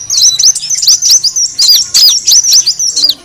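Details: High, emphatic sunbird chirps used as a bird lure, fast hooked whistles repeated about twice per second in an even series.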